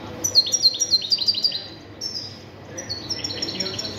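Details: European goldfinch (jilguero) song: a rapid run of sharp, high twittered notes repeated several times a second, then a brief pause and a further stretch of fast, tinkling chatter, against a quiet low hum.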